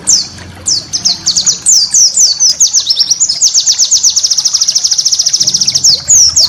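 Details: White-eye song for cage-bird training: scattered sweeping whistles building into a fast regular trill of high notes, then more slurred phrases.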